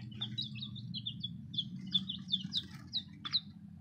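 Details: Newly arrived baby chicks giving rapid, high, downslurred peeps, many birds overlapping in a quick irregular stream above a low droning hum.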